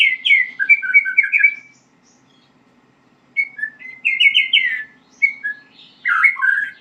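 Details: White-rumped shama learning to sing, giving rapid clusters of chirpy slurred notes, then a pause of over a second before further scattered phrases and a low chattering burst.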